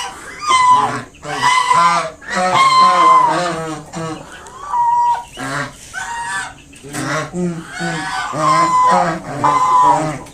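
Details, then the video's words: Mother swan honking at someone getting close to her five newly hatched cygnets; choppy nasal honks repeated roughly every second, rising and falling in loudness. "Mother swan making sounds to protect her baby swans."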